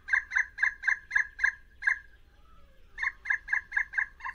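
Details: Pileated woodpecker, a backyard bird present in winter, gives its vocalization: a loud, ringing run of 'kuk' notes, about four a second, breaking off briefly before a second burst; nothing else is heard.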